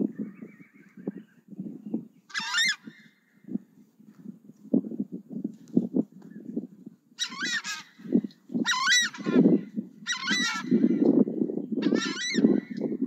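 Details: Southern screamer calling: loud, harsh trumpeting honks repeated in bursts, the later ones coming closer together, over a steady low rumbling background noise.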